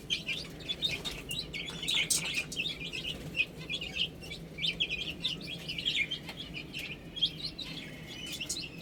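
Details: Young chicks eating and drinking give soft, high, scattered peeps, less dense than a full chorus, with faint clicks between the notes.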